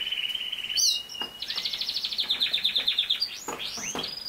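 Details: Canary song played to train a young male canary to sing: a steady high whistle, then a sharp note and a fast run of repeated trilled notes around the upper register, closing with swooping glides.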